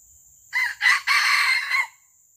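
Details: Junglefowl caught in the wild by the traditional luring method, giving a single loud, rasping crow split into four segments over about 1.3 seconds, with a constant shrill insect drone in the background.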